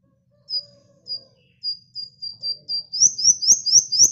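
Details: Sunbird in chatty song, played to lure birds: a string of thin, high, level whistles that speeds up, swelling into louder, sharper notes with soft clicks between them.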